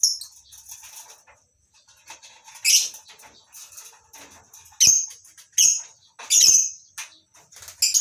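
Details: Lovebirds in a colony aviary on a bird farm in the morning, several species kept together; sharp high shrill chirps and squeaks come in scattered bursts with quiet gaps between, a few louder screeches standing out.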